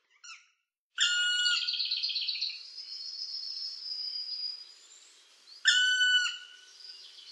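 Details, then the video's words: A Black Woodpecker gives a loud, harsh, ringing note that runs into a fast rolling series of notes, and a second strident note follows a few seconds later. "głos dzięcioła czarnego"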